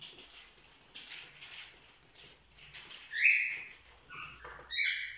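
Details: Playful young cockatiels, just over four months old, kept as a pet flock: soft rustling and wing flutter give way to a few sharp, harmonic screeching chirps, the last ones louder and stacked close together.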